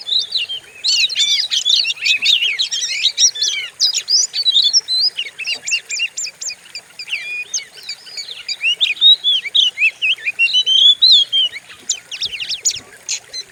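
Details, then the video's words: White-rumped shama training song to stimulate other cage birds: long, loud, nonstop medley of rapid chattering notes, slurred whistles and sharp ticks, with a few short gaps. "Pancingan burung Kacer; sadis dan ganas suaranya"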